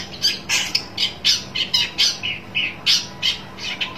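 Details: Long-tailed shrike calling while seeking a rival: rapid harsh, scratchy squawks, about three or four per second, uneven in spacing, with a low steady hum in the background.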